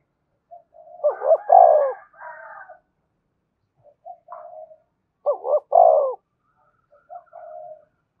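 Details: Spotted dove calling in wild doves that respond readily. Two strong stuttered coo phrases with drawn endings. Between and after them, softer short murmured coos recur, possibly from answering birds.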